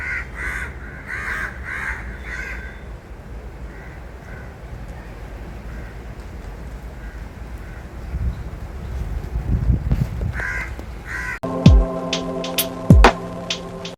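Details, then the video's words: Crows calling: a quick run of about four harsh, hoarse caws in the first three seconds, then fainter caws at intervals amid low background rumble. Near the end a caw is followed by sharp clicks and steady electronic-sounding tones. "ಕಾಗೆಗಳು ಹೀಗೆ ಕೂಗುತ್ತಿರುವುದಕ್ಕೆ ಕಾರಣವೇನು? | Why Crows Are Making Noise?"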